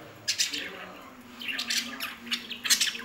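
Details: Pet lovebirds indoors in a small room, giving short harsh squawky chirps in scattered bursts, sharp high notes spaced irregularly over a faint low hum.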